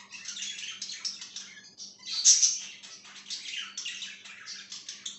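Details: Chirping budgerigar on 5/10/2023: rapid, busy chatter of clicks, squeaks and buzzy notes with one sharper whistled squeal near the middle. A faint steady hum runs in the background.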